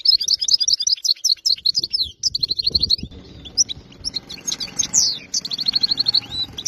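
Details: Wild-caught European goldfinch of area 86 singing continuously: tumbling, high, tinkling twitters, quick trills and sharp chirps in close succession, with a soft hum and low noise underneath.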